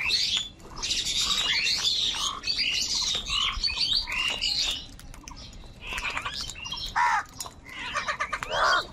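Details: Crows squabbling with each other over food give harsh, dense squawking calls in rapid overlapping bursts, mixed with thin chirps and sweeping whistles from other small birds.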